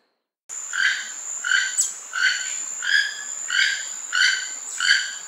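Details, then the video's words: Keel-billed Toucan calling: a series of dry, croaking notes repeated about every 0.7 seconds, each a rasping burst with stacked harmonics, over a steady high electronic-sounding whine throughout. "Keel-billed toucan sounds"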